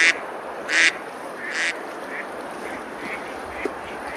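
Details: On a river at Besalú, Spain, ducks eating and splashing in summer give three loud raspy quacks in the first two seconds, then only faint, distant calls.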